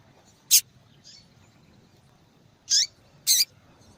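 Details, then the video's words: Persistently calling female Double-collared seedeater, used to stimulate males; one sharp high chip, a faint note, then after a pause two more loud high chips, the middle one sliding downward. "Fêmea de Papa capim Chamando Muito para Esquentar papacapim !"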